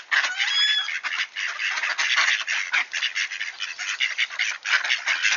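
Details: Wood ducks at Sainte-Adèle, Quebec, Canada, at 7:53 AM on 18 October 2024, 1°C and clear, call in a dense, overlapping chatter of harsh squeals and rising whistled notes, almost continuous throughout.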